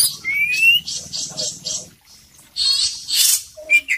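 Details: Oriental magpie-robin, kacer poci, in full isian song: a clear rising whistle, then a run of short scratchy notes, a pause, and a loud burst of harsh chatter ending in brief whistled notes.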